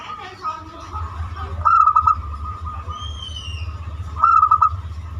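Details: Zebra dove with a banyumili voice, used to lure other birds into singing: two rapid pulsed coo phrases a few seconds apart, with a thin rising whistle between them over low rumble.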